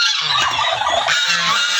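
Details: Backyard-kept domestic turkeys: a harsh, broadband honking call runs almost unbroken through the short stretch, with no gaps and a faint low hum underneath.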